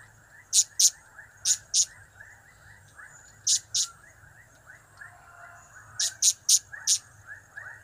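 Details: Blue-crowned hanging parrot uttering its cap-cap, kiak-kiak and crap-crap calls. High, thin, shrill notes come in pairs and a final run of four. They stand out over a busy, repetitive chorus of lower chirping notes.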